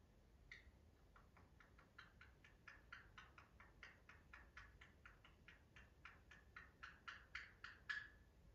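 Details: A pet conure, excited or happy, rattles its tongue inside its mouth in a fast, steady run of dry clicks, about two a second, often alongside chattering, with a faint whistled note at the start and end.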